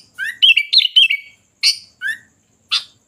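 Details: Lively sooty-headed bulbul phrase. A rising whistle opens a quick string of rich, bubbly notes, followed by three separate short calls: a harsh rasp, a rising whistle and another rasp.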